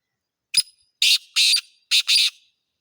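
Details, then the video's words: Black francolin giving a harsh, grating call: a short opening click followed by four broad, rasping notes in two pairs, over a silent background. "kala teetar ka awaz"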